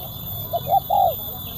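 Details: Spotted dove, kuk 1 type, crisp sharp voice, recorded in 2024 as a lure: one phrase of a short note, a rising-falling note and a long smooth coo, with low rumbling background.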